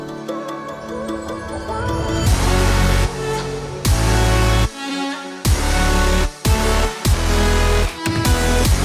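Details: Loud electronic dance music with heavy bass drops and synth layers, no animal calls.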